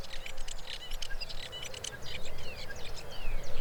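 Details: Common Starling song, played as the second quiz song and characterised by sliding whistles and electrical crackles: a dense run of clicking, crackly bursts mixed with short squeaks and downward-sliding whistles, with steady low rumble underneath.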